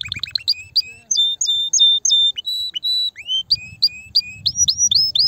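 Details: Canary singing to excite a female for mating: quick chips, then clear sustained whistled notes, rising slurs, and a run of upward-sweeping whistles, with light low background noise.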